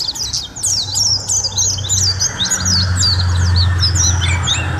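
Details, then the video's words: Mountain white-eye in full, lively song for masteran training: bright, high, rapidly tumbling chirps and slurred whistles, around three notes a second, over a steady low humming drone. "Suara Masteran Burung: Pleci Gacor durasi panjang"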